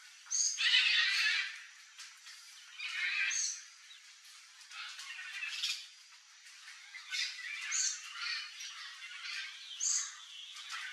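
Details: Red-and-green macaw (Ara chloropterus) perched on ripe mango in Brazil, giving a series of coarse, broad squawks spaced a few seconds apart, mixed with sharp high chirps and soft chattering in the background.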